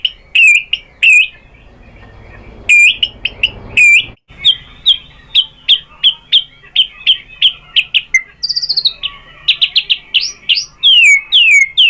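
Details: White-rumped shama singing as a lure: loud ringing whistled notes in pairs, then a long rhythmic series of repeated upslurred phrases, a high buzzy insert, and rapid descending whistles at the end.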